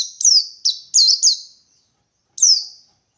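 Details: Wild Indonesian white-eye seeking a rival: a fast run of five high, thin, looping and down-slurred chirps, then a pause and one more descending note.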